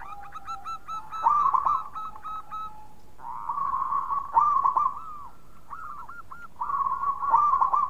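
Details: Zebra dove song used as a lure for other doves, a local bird: bursts of quick, bubbling coo notes separated by steady trilled stretches, loud phrases recurring about every three seconds.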